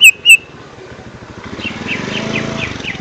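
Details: Lesser green leafbird, used as a lure sound for young birds: two sharp loud whistled notes open, then a faint, fast series of high twittering notes continues beneath a low engine-like rumble.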